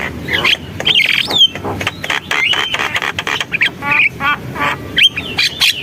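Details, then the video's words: Javan myna singing energetically: harsh chattering and clicks, a buzzy rattled phrase, a drawn-out level whistle and sharp high notes, with a low steady rumble behind. "JALAK KEBO GACOR, SUARA JALAK KEBO"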